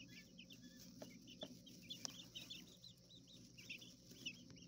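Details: Coturnix quail chicks within their enclosure in a hotel room, small urban setting; dense overlapping high peeps from several chicks, fairly continuous, over a low droning hum and a few clicks.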